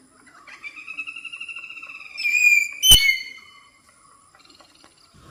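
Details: Common hill myna in Thattekkad Bird Sanctuary, Kerala's Western Ghats forest, noted for its many varied calls, gives a long, steady, reedy whistle, then a louder rough burst and a sharp click, fading to faint background chatter.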